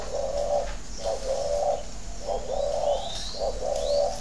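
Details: Thổ đấu còi cooing of a spotted dove kept at a Ba Vì, Hanoi farm in Vietnam; soft hollow coos in short clustered bursts, with faint thin chirps of other birds above.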